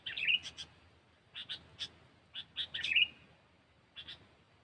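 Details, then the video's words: Sooty-headed bulbul calls from a trapping lure recording: a scatter of short, sharp chirps and two brief bubbling phrases, fairly soft, with hiss behind. "Suara Burung Kutilang"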